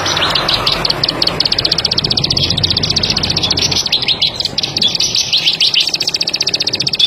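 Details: Plain prinia, a bird of rice paddies, corn and sugarcane fields, gives a long unbroken run of sharp, high dry ticks, fast and steady like a rattle, with a low hum and faint rumble underneath.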